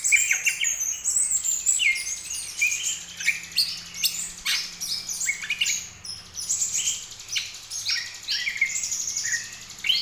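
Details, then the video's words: A young greater green leafbird, just beginning to practise its song, gives a rambling, high chattering song of quick chirps, squeaks and short whistles with almost no pause. "trotol cucak ijo mulai latihan bunyi"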